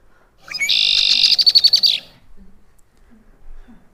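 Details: A male and female Red-winged Blackbird duet, a short rising note opening a harsh, buzzy trill, then about eight quick clipped chatter notes within two seconds, signalling to other redwings that each partner is taken.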